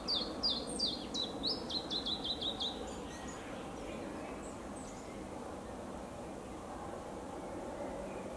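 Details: A possible Iberian chiffchaff in South Holland, Netherlands, on 4 May 2022 sings a few high, slurred chiff notes, then a quicker run of thin, repeated notes over about three seconds, against steady broad rushing noise.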